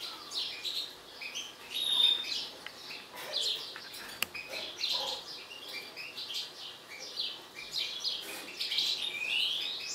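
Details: Mutant European goldfinch in an agitated state pouring out a continuous, fast jumble of tinkling chirps and short whistles, with a sharp click partway through and a rising slurred note near the end.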